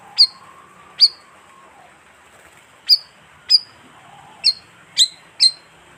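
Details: Bayeman lure call: scattered high, clipped chirps in small bunches, with a faint drawn-out lower whistle from another bird early on.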